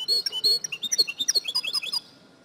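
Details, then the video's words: Female European goldfinch call used to stimulate a caged male to sing: rapid series of high, clipped twittering notes with downslurred chirps, steady for two seconds before falling silent. "DİŞİ SAKA KUŞU SESİ İLE HUYLANDIRMA - صوت طائر الحسون الإناث"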